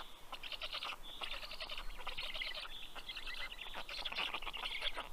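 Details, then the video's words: Black stork chicks on their Estonian nest in Karula National Park, 11 June 2023 at 11 am, greeting the adult with fish; choppy raspy begging bursts with a few thin whistled squeals between them. "Karl brings fish for all 😊Funny greeting sound by the Kids 😁"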